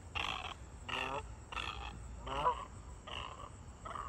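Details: A white egret gives six harsh, croaking squawks, each about half a second long, roughly one every 0.6 seconds, over a low background rumble.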